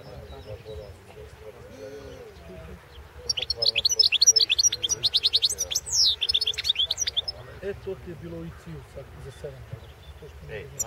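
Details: European goldfinch singing in a 2016 world championship competition recording: a fast burst of high twittering, trilled and buzzy notes lasting about four seconds, over a constant low hum and background voices.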